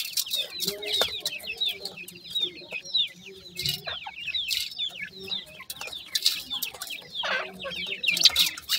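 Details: A brood of new grey francolin chicks peeping nonstop, high wavering chirps crowded together, with occasional low murmuring notes and brief sharp clicks.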